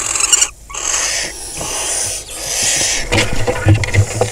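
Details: Barn owl nest box in crop fields of Kibbutz Snir, Hula Valley, 26 May 2020, male bringing a rodent; rasping hisses in several bursts, followed by thumping, scraping movement sounds.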